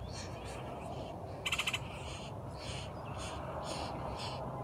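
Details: Red-headed woodpecker at the nest, arriving to feed young and flying off: a series of harsh, buzzy calls, several spaced through a few seconds, with one loud rasping burst, over heavy low rumbling noise.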